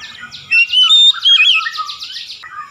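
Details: Oriental magpie-robin therapy song with clear whistles followed by a rapid series of buzzy repeated upslurred notes, ending in softer low warbles.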